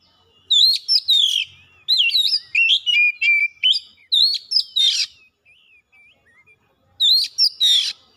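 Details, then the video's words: Oriental magpie-robin (kacer) song used as a lure to get other kacer singing quickly and showing their mimicked fillers: loud, rapid whistled and buzzy phrases with sharp slurred notes, a quiet pause near the middle, then another burst. "PANCINGAN KACER CEPAT GACOR LANGSUNG BONGKAR ISIAN"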